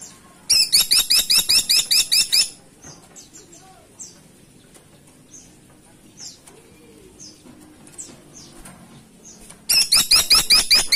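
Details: Woodpecker, locally called caladi tikotok, calling actively: two loud rapid bursts of sharp, high, hooked notes at about seven per second, one near the start and one at the end, with faint scattered chirps between.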